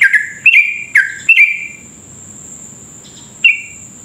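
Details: A yellow-vented bulbul gives long rolling song of quick, bubbly, slurred notes in short bursts, several within two seconds, then a pause, over a steady high thin whine; used to prompt other bulbuls to sing.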